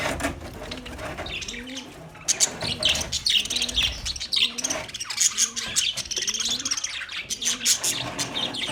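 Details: Budgerigars chirping on 9 March 2024: a quieter start, then busy, bright chatter with sharp high chirps over steady low coos repeating about once a second.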